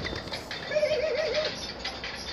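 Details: A pet pastel phaeo Barbary dove, about to try to fly, gives its laugh rather than its song: a quick chuckling run of about seven short, low notes lasting under a second, over faint hiss.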